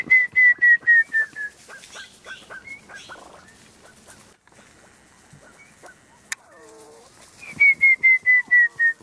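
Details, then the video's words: Montezuma quail covey at Bonita Canyon Campground, Chiricahua National Monument, whistled in with an imitation of the presumed female song: loud, clear whistled notes in a quick falling series of about eight, with softer answering notes and faint clicks. "Montezuma Quail Covey Whistled In"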